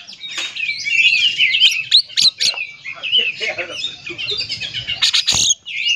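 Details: Oriental magpie-robin song used to provoke other magpie-robins into singing: dense, high, varied whistles and chattering phrases with sharp clicks, delivered nearly continuously.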